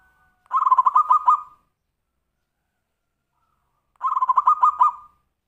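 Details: Zebra dove giving the "Tumpang Sari" song, used to lure or prompt other birds: two bursts of soft, rapid staccato cooing notes, each about a second long, with a quiet pause between.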